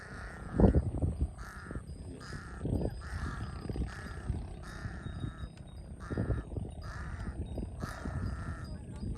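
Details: Large-billed crow in Cambodia, a common bird around water that villagers call the thief-bird; a run of about ten harsh, nasal caws, each short and spaced under a second apart, over low rumbling background noise.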